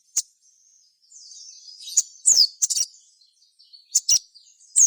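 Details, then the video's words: Gacor singing of a sogon, played to provoke other sogon into song: a soft, thin high trill runs under scattered sharp, piercing notes and quick slurred phrases. "cukup putar suara sogon gacor ini"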